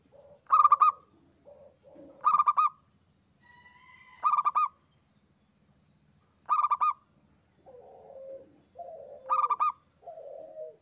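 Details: Local zebra dove singing steadily, a recording meant as a trapping lure: loud bursts of rapid staccato, slightly nasal coo notes about every two seconds, with softer lower, drawn-out coos between and a steady electronic whine throughout.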